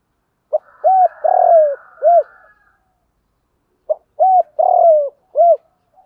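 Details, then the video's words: Spotted dove coo phrases played to train captive birds: a short note, two rounded coos, a long falling coo and a closing coo, the phrase heard twice with a pause between, and faint softer notes behind. "tiếng chim cu gáy dùng tập bổi hiệu quả hàng ngày, giọng hạp bổi"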